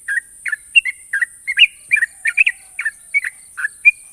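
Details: National-champion sooty-headed bulbul singing sharp ropel: spaced bright chirps, some paired, and a few clear rising whistles, with steady high-pitched hiss throughout.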